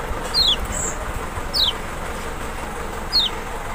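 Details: Lemon-bellied white-eye from Lombok or Sumbawa, used to provoke an unwilling bird: three well-spaced, bright downward-sliding notes against a loud, steady broadband background hiss.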